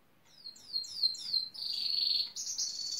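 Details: Male Gloster canary singing near a building site, said to mimic construction machines such as a pneumatic drill and digger: a run of quick descending high sweeps, then a long buzzy trill, then a higher rolling buzz.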